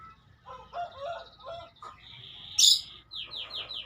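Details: Canary singing: a few lower warbled notes, then a steady high trill, a sharp loud burst, and a run of quick descending high whistles repeated about five times per second.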